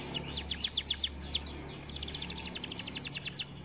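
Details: Canary kept in an aviary, reportedly quiet because it is too fat, singing rapid series of sharp downslurred notes, then a faster even trill, with a low hum beneath.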